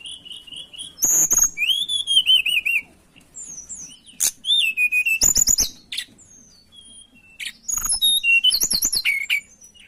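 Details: Mountain tailorbird song used as a lure to attract birds: loud, clear whistled phrases with sliding, wavering notes, given in bursts separated by short pauses, with sharp high chips between.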